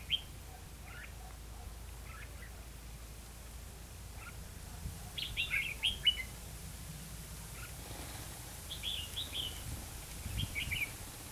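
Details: Red-whiskered bulbul recorded while trapping birds in Hòa Mạc, Hà Nam, Vietnam: scattered brief chirps early on, then clearer warbling phrases midway and again toward the end, with a steady low rumble beneath.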